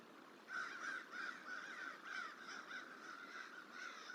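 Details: Crow harassing a juvenile bald eagle eating on the hatchery tree at Decorah, Iowa, on 29 January, trying to drive it off: rapid series of harsh, nasal caws, several per second, distant, with steady background hiss.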